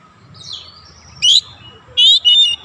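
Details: Lure recording of an Oriental magpie-robin (kacer), used so other birds respond fast: faint thin whistle, one sharp rising note, then two loud buzzy, trilling bursts close together near the end.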